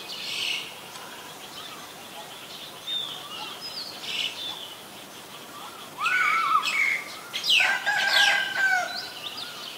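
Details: Common myna calling in Ubon Ratchathani province, Thailand, on 24 February 2022, captured with a Nikon P1000. Scattered chirps and gurgling arched notes build into loud, dense clusters of harsh, ringing calls near the end.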